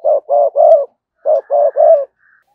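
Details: Spotted dove used as a decoy gives two tight triplets of short, strong coos, each triplet ending on a longer note, with a faint higher hum behind the second.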